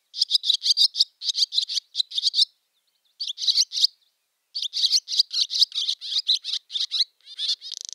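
Barn swallow chattering in fast bursts of high, scratchy twitters, broken by short pauses and ending in a dry buzzy rattle.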